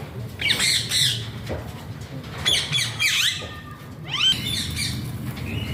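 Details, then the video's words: Alexandrine parakeet, locally pahaadi tota, giving so-called funny talking sounds: loud rasping squawks and bending, slurred notes that fall and rise, clustered near the start, middle and four-second mark, with low room rumble beneath. "Ringneck alexander pahaadi tota funny talking sounds"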